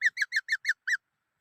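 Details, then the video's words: Song of a black-throated laughingthrush: six short, loud, down-slurred whistled notes repeated about every sixth of a second, with a brief pause before the last; quiet background. "Noog Sab Hwj Quaj Dib Tuaj Zoo Heev {นกมะเกลือร้องเพลง"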